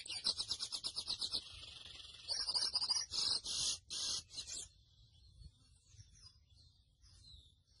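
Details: Grey seedeater (mochuelo) sings a high, even trill of rapid repeated notes, then harsher buzzy bursts, before fading to near silence with faint distant chirps.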